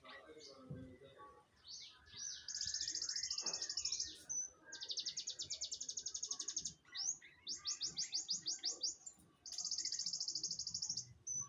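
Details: Munias chirping noisily: high buzzy trilled rattles, each lasting about a second and repeated several times, with scattered short chirps and low background voices and rustling.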